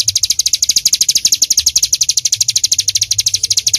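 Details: A bar-winged prinia in full 'tembakan' shooting style, recorded as songbird tutor material: high, crisp notes hammered out at about ten per second in an even, relentless stream, with faint low background noise.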